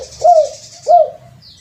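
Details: Two full, slightly falling coos from a spotted dove lure recording, about 0.7 seconds apart, over a high faint hiss.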